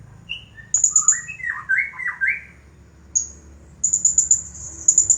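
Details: Champion blue-crowned hanging parrot, nonstop 'nagih hutang' style: bursts of rapid piercing high ticks alternating with lively squeaky notes that slide up and down, then long fast high trills.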